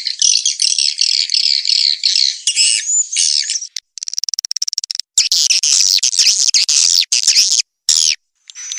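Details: Edible-nest swiftlet roosting lure: dense, high, buzzy twittering, then a quick train of dry clicks, followed by more shrill chattering chirps with brief silent breaks.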